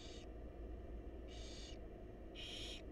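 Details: Wild barn owl young in a monitored nest box, being fed by the mother, give rasping hissed begging screeches roughly once a second, three in all, each noisy and broadband, above steady low hum.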